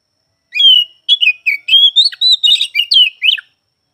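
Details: Oriental magpie-robin singing, described as heard morning, afternoon and night: a three-second run of clear whistled phrases, some sliding down and some rising, broken into about ten quick notes with short gaps, with no other sounds.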